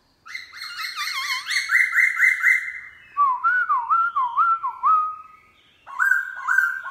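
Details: A kept Black-throated laughingthrush sings wild-style song in the morning: loud, rich whistled phrases with looping notes, then a lower run of wavering repeated whistles, then a brighter phrase after a pause.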